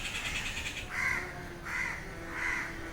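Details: A crow at noon, among restless crying birds, gives three harsh, nasal caws spaced about three-quarters of a second apart, with a hiss of higher chatter from other birds at the start.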